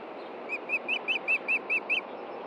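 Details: Osprey pair with chicks at a Montana nest, June 2013 at dusk, male seeking a fish: eight piercing, downslurred chirps delivered evenly and quickly, with faint steady ambient noise.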